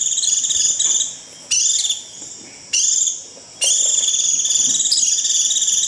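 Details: Piercing high buzzy trills from a white-eye calling its flock, the 'rít' style, in four bursts roughly a second long, the last held for over two seconds.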